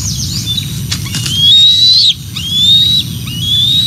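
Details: Bald eagles on the Decorah North nest camera, 12 June 2024, when the mother arrives with a fish that a juvenile mantles and takes while its sibling follows. Long, thin, high whistles rise slightly and are drawn out, with wing flaps and a low constant hum.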